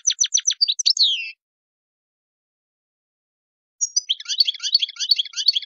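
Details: Goldfinch, European, in Tadmait-style song for tutoring young singers: rapid staccato chips and a falling slur, a long pause, then a steady rolling twitter.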